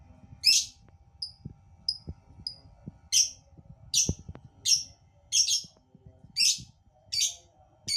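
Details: Lovebird giving short, harsh, high chirps repeated roughly every half second to second, interspersed with a few softer thin whistled notes, over a quiet low hum.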